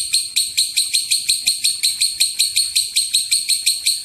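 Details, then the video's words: Lovebird giving the long 'ngekek' chatter, used as a lure to provoke other lovebirds into calling: very high, buzzy, scratchy notes repeated steadily about four times a second without a break. "Pancingan suara lovebird ngekek panjang"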